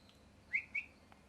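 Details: Molting pet parrot whistling two short bright notes joined by a soft level tone, the first rising, with low background hum.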